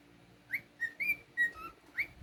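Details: Male house cockatiel whistling softly over a low indoor hum: a rising chirp, a run of short level and slightly falling notes, and a final rising chirp, about six notes in two seconds.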